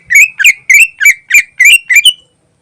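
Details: Greater green leafbird singing hard in ngentrok style for use as a lure, a rapid run of seven buzzy, upward-inflected chirps, each about a third of a second apart, ending abruptly in silence.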